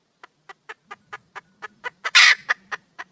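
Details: Wild red junglefowl hen calling for a male: spaced clucks grow louder and closer together, peak in one long harsh squawk, then trail off in two more clucks over a faint low hum.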